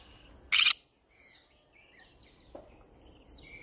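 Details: Green-cheeked conure singing in a flower garden, uttering one brief, loud, rasping screech followed by scattered faint chirps and squeaks, with a continuous thin high tone behind.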